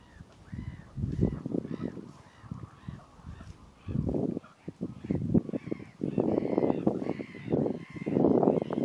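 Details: A pack of common mergansers, mostly males, chasing one another while following a few females on Fyrisån in early spring, 2 April 2022. Frequent brief arched calls run throughout amid heavy splashing and rushing water.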